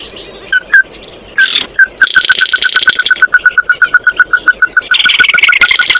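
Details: Oriental white-eye singing to summon its flock: a few separated chips, then a long, fast, even series of short clipped notes with buzzy high twittering above, rising in intensity at the end.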